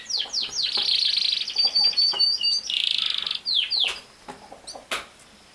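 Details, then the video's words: Canary song opening with downward swoops, moving into a long even trill and a buzzy rattle, then ending in scattered sharp chirps and a brief pause. "Canary Singing | The Best singing Canary ever"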